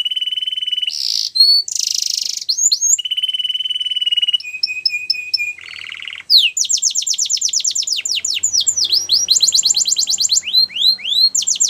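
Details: Russian canary singing in the flute style: a varied phrase of steady, pure whistled tones and brief buzzy notes, then rapid series of high falling slurs and rolling trills, loud and clear.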